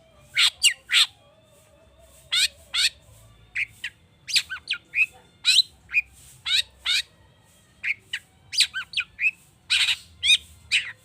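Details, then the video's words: Excited long-tailed shrike singing a rich medley meant to prompt other birds to sing: separated bursts of scratchy downslurred notes, harsh buzzes and quick rattles, with short pauses between phrases, over a faint low hum. "Pancingan cendet emosi, full isian mewah‼️ bikin burung anda cepat gacor‼️"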